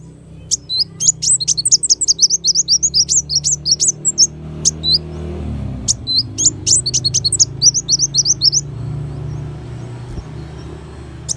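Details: Kolibri wulung, or brown-throated sunbird, in a master recording for training songbirds: a long, rapid stream of thin, high twittering notes, a short break, then a second burst, over a steady low room hum.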